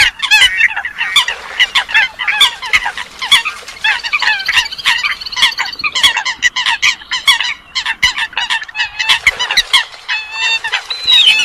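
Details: Lure recording of Eurasian coots made for night net trapping in Vietnam: a dense, continuous chorus of many nasal honks and squawks that overlap and tumble over each other for the whole stretch.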